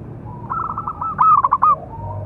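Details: Big-voiced local zebra dove, a calling song used to train other doves: a rapid run of pulsed coos builds into a loud rolling trill of about four strong notes, with faint cooing after it.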